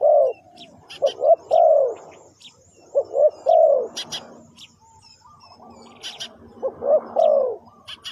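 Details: Spotted dove calling to lure wild birds. Low soft coos come in phrases of two or three notes, spaced by quieter gaps, with sharp high chirps and faint background clatter between them.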